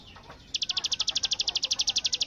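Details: Bar-winged prinia starting a 'bren' burst, likened to AK47 fire: after half a second of quiet, a rapid run of sharp, high notes follows, about ten per second.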